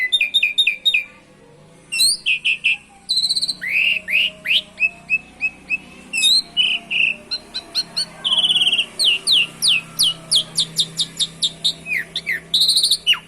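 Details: Canary-imitating song of an Asian pied starling, meant to get other songbirds singing: a long, varied run of sharp whistles, upswept chirps and rapid trills, nearly continuous and loud, with a faint low hum beneath.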